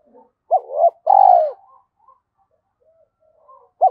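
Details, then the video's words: Spotted dove giving a low cooing phrase: two short hoots and a drawn-out, slightly trilled coo falling in pitch, then quiet with faint soft notes before the next hoot starts. "tiếng cu gáy"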